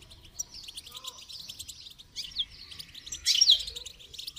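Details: Goldfinch singing, used for song training: a rapid, continuous high twittering of chirps and trills, ending in a louder burst of sharp notes after about three seconds, over faint low background rumble.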